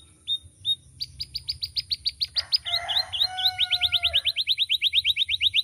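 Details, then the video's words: Canary, described as loud, varied and melodious and used as a tutor for other birds, singing two chirps, then a rapid run of high repeated notes, buzzy lower tones, and a fast rising trill to the end. "Suara Burung Kenari Gacoorr"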